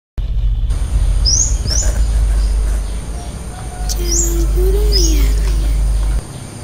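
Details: Female flowerpecker in the wild, in a rural garden on a clear late morning: short high upslurred chip notes in pairs, with a lower whistled wavering phrase from another bird and steady low rumble.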